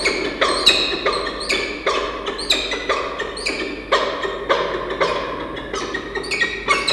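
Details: Rhythmic percussive music with sharp wooden knocks and chiming tones, and no animal voice.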